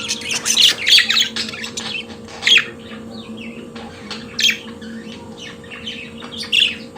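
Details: Pet budgerigar singing: a quick burst of scratchy chirps, then isolated squawky notes every couple of seconds, with soft murmuring chatter and a constant low hum between.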